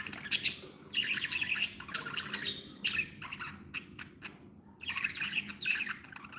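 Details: Pet budgerigars in a happy mood: bursts of rapid, squeaky warbling chatter, each lasting about a second, separated by short pauses, with bright clicky notes throughout.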